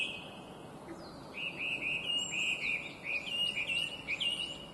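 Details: Chinese hwamei, an invasive introduced species, singing clear, bright, complex phrases of looping whistled notes repeated several times a second, against steady background hiss.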